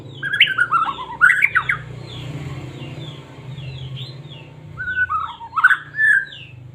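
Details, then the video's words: White-rumped shama of the Medan type, a caged songbird, its song used as a lure to provoke other shamas into singing: rich, varied whistled phrases at the start and end, with soft repeated downslurred notes between them and a low steady hum. "Murai batu cocok buat pancingan burung anda"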